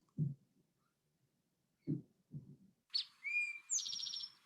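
An Eastern Towhee sings 'drink-your-tea': a sharp high note, a lower whistle, then a fast ringing trill, after several dull thumps.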